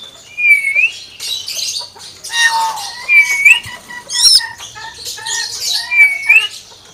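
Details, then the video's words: Common hill myna singing a repeated phrase: a clear whistle that dips then rises, given three times about every two seconds, mixed with hoarse raspy squawks and soft short notes. "BURUNG BEO SUARA AYAM"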